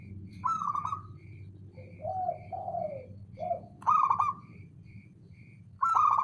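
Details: Calling male zebra dove: loud stuttering trilled coos alternate with lower, smoother gliding coo notes. Soft, regular higher tones pulse faintly in the background.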